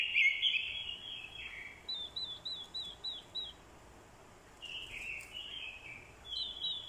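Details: Orange-headed thrush decoy recording of fighting song, with a female's call added to spur males; a loud warbled burst, then a series of six soft high looping notes, a pause, and quieter warbled fragments.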